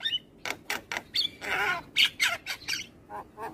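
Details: Morning song of a black-winged starling, white-eyed type, played to train other birds and prompt them to sing: a string of grating squawks and croaky chatter, with one longer buzzy note in the middle.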